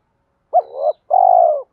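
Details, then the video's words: One two-part coo of a spotted dove in fighting mode, used when trapping wild doves: a sharp hooked note easing into a rising murmur, then a longer, even, gently descending coo. "tiếng cu gáy Thúc Đấu bổi nghe nhanh gáy và nhanh về cội khi đi gài"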